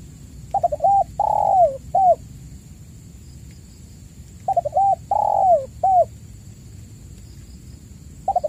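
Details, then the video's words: Spotted dove lure call, for caged doves that have stopped calling: a coo phrase of two short notes, one long rolling coo and a final short note, repeated about every four seconds over steady low hum and a faint high tone. "pancingan burung tekukur gacor"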